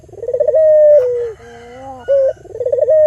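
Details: Albino local Barbary dove calling to lure and stimulate other doves. A quavering rolled coo leads into a held tone that drops slightly, followed by a soft low note, a brief clipped note, then another rolling trill.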